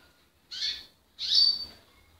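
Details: Portuguese Harlequin canary singing: two high, bright trilled phrases, each about half a second long, with a short pause between them in a quiet room.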